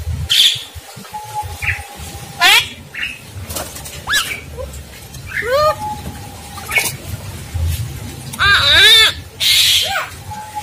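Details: Starling song in the Indonesian masteran style: varied, widely spaced notes, including steady whistles near the middle pitch, rising and falling harmonic slurs, and several harsh broadband bursts, over a low background hum.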